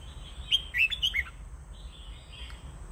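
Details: Red-whiskered bulbul delivering a brief warbled phrase of three or four clear, bouncy notes in quick succession, then fainter softer notes, against a steady high tone and low background noise.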